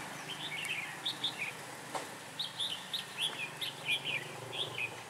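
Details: Red-whiskered bulbul decoy singing during trapping to lure and fight wild birds: short, bright warbled phrases of chirpy notes repeated in quick succession over steady outdoor noise.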